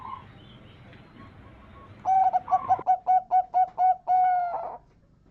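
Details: Zebra dove lure song, a local perkutut meant to prompt others to answer: after a faint coo, a burst of eight quick, choppy cooing notes ends in a long, level, sustained coo.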